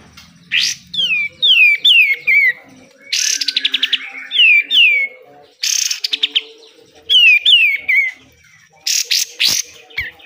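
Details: Energetic besetan song of a pied triller, used to tutor caged birds: harsh rising bursts alternate with runs of sliding downward whistles and short rattles, repeated over ten seconds.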